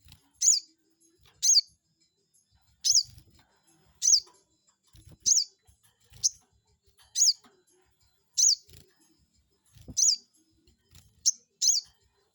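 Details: Crested jay lure meant to stir up a rival: a long series of eleven shrill, downward-sliding chirps delivered about once a second, with soft low knocks underneath.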